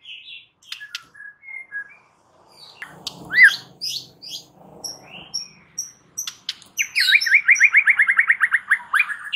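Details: White-rumped shama in energetic, vigorous song meant to provoke rival males into an emotional, combative response: varied clear whistles and slurred notes, then a fast, loud run of repeated buzzy rising notes near the end.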